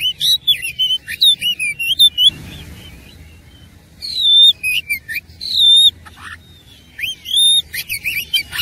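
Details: Oriental magpie-robin, fired up for fighting, delivering loud, persistent song full of mimicked phrases: rapid chains of clear whistled slurs and chips, pausing briefly near the middle before resuming in vigorous bursts.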